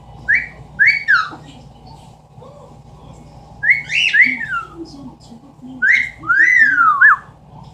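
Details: Captive Amazon parrot mimicking sounds indoors: clear whistled phrases that rise and drop, some notes slurred together, in three bursts across several seconds, with soft low chatter and a steady room hum beneath.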